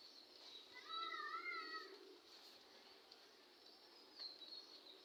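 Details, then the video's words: A black drongo at a house in India, 24 May 2021 at 5:15 PM, gives a single wavering, slightly nasal call lasting about a second, over a steady high hiss of insects. "Black Drongo। sound of Black Drongo। ফিঙে পাখির ডাক"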